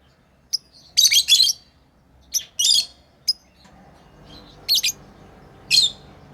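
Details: Pet lovebirds chirping during play: isolated piercing squeaky bursts, a quick double chirp near the start, spread over a quiet background.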